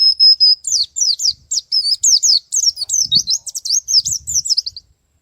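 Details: Singing male white-eye, ngalas and nembak style: a steady high whistle opens, then a rapid chain of sharp, zigzagging chirps, some faint thumps in the background.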